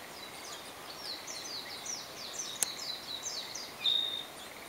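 Narcissus flycatcher song: a quick run of high, thin, falling notes ending in a clear whistle, over a steady hiss of background noise.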